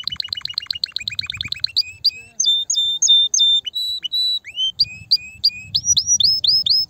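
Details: Canary song meant to stimulate mating in female canaries: a fast trill, then long flat whistles and upward-sliding notes repeated in a varied, measured pattern.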